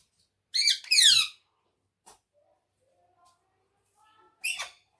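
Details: Pet ringneck parrot, a talking bird said to speak Urdu and Hindi, giving two harsh, raspy squawks in quick succession, then a quiet pause with faint tones and a final short screech.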